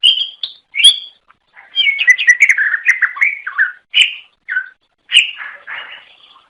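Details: Melodious greater green leafbird song meant to attract other leafbirds: dense, varied chattering phrases of slurred whistles and chirps with short gaps, some notes sliding downward.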